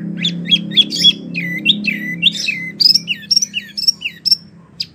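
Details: Wambie mini in animated song for training competition birds: sharp high squeaky notes and descending whistles in quick succession over a low background hum.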